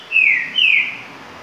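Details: Green-winged saltator, virador song style: two brief, bright whistled notes falling in pitch, the second starting slightly higher, followed by quiet background.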